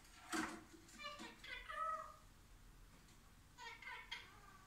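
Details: Ring-necked parakeet trying to talk: a few quiet, speech-like harmonic syllables with a sharp raspy burst near the start, softer chattering phrases in the middle, and two short clipped syllables near the end.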